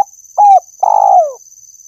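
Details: Spotted dove used for luring birds: a short rounded coo followed by a longer trembling purr that bends downward, with a constant high electronic whine throughout.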